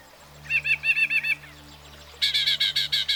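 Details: Northern Mockingbird, a bird able to learn up to 200 different sounds in its lifetime, singing two quick phrases: a run of about seven doubled chirps, a short pause, then a louder, higher series of rapidly repeated harsh notes.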